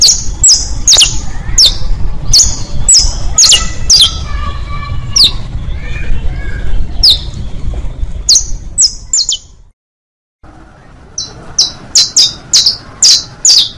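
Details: Saffron finch, known locally as canario, song used for teaching young birds: sharp, high chipped notes in quick bursts, some sliding down, over a low rumbling background, with a brief silence before a final run of evenly spaced chips.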